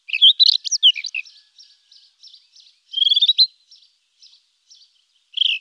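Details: Rufous-tailed scrub robin pouring out a rapid medley of looping, varied whistles, followed by a trail of faint echoing notes, another clear phrase near the middle and a final short burst.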